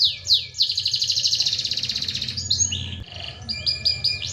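A canary sings high, falling sweeps, then a long rapid rolling trill, followed by quick varied whistled phrases. A faint low hum runs underneath.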